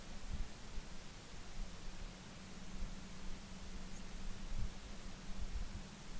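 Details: Hissing static and low hum from an osprey nest in Charlo, Montana, on an October morning, with no animal calls heard.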